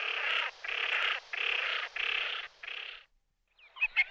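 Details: Common pochard calls as five long, grating, rasping notes in quick succession, followed by a short pause and a few brief squeaky, chirping notes.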